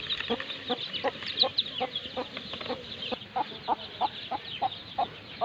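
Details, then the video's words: Baby chicks with mother hen, playing: busy overlapping high chirps throughout, with the hen's low, clipped clucks repeating at an even pace, becoming clearer and more spaced in the second half. "Baby Chicks chirping Sounds"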